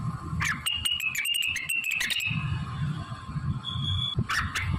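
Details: Singing blue-winged leafbird, its song studded with imitations of shama, canary and prinia; a fast run of clicking chips and high whistles for two seconds, a pure whistled note, then a final sharp burst.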